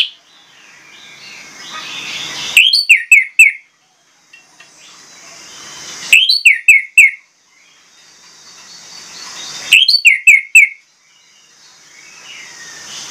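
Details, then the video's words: Orange-headed thrush singing loudly: three bursts about four seconds apart, each a quick string of four or five sharp, clear whistled notes slurring downward, separated by quiet hiss. "PANCINGAN ANIS MERAH PLONG NGOTOT BONGKAR ISIAN"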